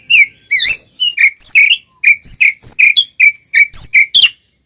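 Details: Oriental magpie-robin, a caged bird singing in full fighting mood to provoke rival birds: a fast string of short whistled notes around a sharp ringing pitch, each with a bright upper overtone, broken by brief pauses.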